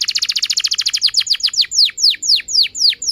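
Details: Canary in energetic long song meant to stimulate young and silent canaries: a rapid bright trill that slows into a series of drawn-out, steeply falling whistled sweeps about every third of a second.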